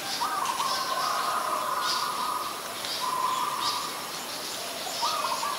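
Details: Ashy woodswallow, a very common resident, at Ubon Ratchathani, Thailand, on 25 February 2022; short wavering mid-pitched notes come in brief strings roughly every two seconds over a steady broad background hiss.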